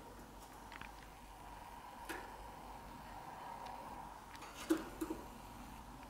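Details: A quiet indoor hum with a faint steady tone carries soft scattered clicks and a few small knocks near the end, without any vocal sound.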